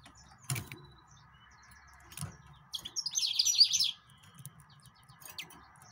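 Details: Song of the yellow-fronted canary, or Mozambique canary: a single fast trill of rapidly repeated high notes about one second long, preceded by scattered sharp clicks and chips, with a faint constant hum underneath.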